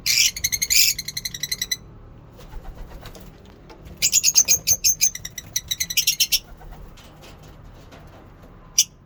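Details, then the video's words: Morning chatter of lovebirds at a mini zoo: rapid bursts of sharp, high twittering notes, a pause, then another dense run of chirps with a thin whistled trace, and one last isolated squeak. "Lovebirds singing in mini zoo"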